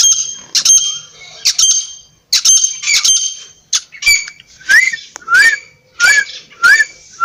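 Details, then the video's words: Partridge calling in harsh bursts that give way to repeated short rising notes, roughly every two-thirds of a second. "Teeter Ke Awaz | teeter sound"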